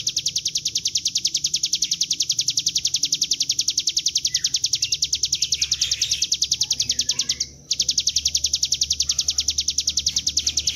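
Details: High, drilling ngebren song of a bar-winged prinia for luring birds to sing, with sharp notes pulsing about three and a half times a second, briefly cut near the end before resuming, with soft low background rumble.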